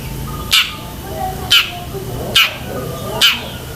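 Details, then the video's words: Long-tailed shrike singing busily with varied borrowed phrases, used to train pet shrikes: four loud scratchy downslurred screeches spaced roughly a second apart over a constant low droning background. "BURUNG CENDET GACOR ISIAN SEKEBUN"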